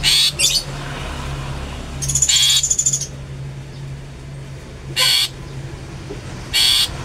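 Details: Long-tailed shrike in "toet toet" mode, meant to provoke other shrikes: a pair of harsh bursts, then a rapid stuttering rattle, followed by two more spaced rasping notes; low hum throughout.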